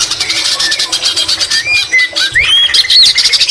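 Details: White-rumped shama singing vigorously, its song filled with imitations of greater green leafbird: a loud, varied run of high whistles and buzzy notes, ending in bright rising and falling slurred sweeps.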